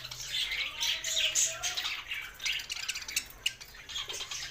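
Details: Happy budgie singing from Larkana, Sindh: bright, raspy warbles and fast chirps from a group, overlapping and fairly even in loudness throughout the short stretch.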